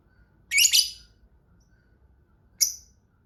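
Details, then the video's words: Lovebird, a caged bird kept by hobbyists, giving a harsh burst of overlapping high chirps, then a short pause and one more sharp chirp, in a quiet room. "Ngetik Ngekek Pancingan Lovebird Cepat Bikin Nyaut Suara Burung Lovebird Ngetik Ngekek Panjang"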